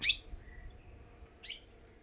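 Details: A black drongo, possibly a chick just out of the nest, in a farm garden at Bhavani, Erode, Tamil Nadu, gives two short, sharp, high chirps about 1.5 seconds apart, with a fainter thin note between, over quiet hiss.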